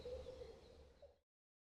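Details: A wild whooper swan gives one steady, held trumpeting note, mid-pitched and just over a second long, over a low rumble of wind.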